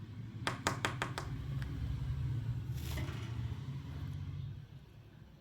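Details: Low indoor hum fills a small room, with a quick run of sharp clicks early on and a brief soft rustle midway.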